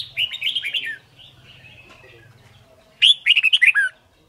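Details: Red-whiskered bulbul in training song for fast learning and contest singing: a warbled phrase, quiet chatter, then a loud rapid run of six or seven sharp whistled notes sweeping downward.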